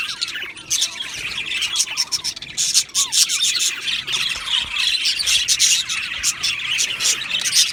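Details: Budgie colony in an aviary, loud chattering chorus packed with rapid curling whistles and squeaky chirps, sliding notes tumbling over each other from many birds without pause.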